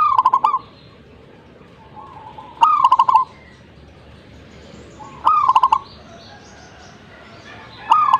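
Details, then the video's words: Energetic zebra dove song: each phrase opens with crisp staccato ticks and ends in a warbling, rolling coo. The phrases repeat steadily about every two and a half seconds against a quiet background. "gacornya perkutut ini"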